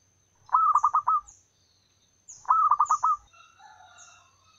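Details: A local wild female zebra dove calls to males as a lure. Two trilling coo phrases of six fast pulsed notes come two seconds apart, with thin high chirps and twitters from other birds.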